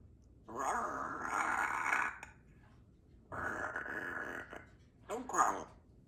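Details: A 3-year-old female Congo African grey parrot, a pet in a country home, talks in three speech-like phrases: two longer mid-pitched utterances and a brief final word, with quiet room sound between; Grey parrot.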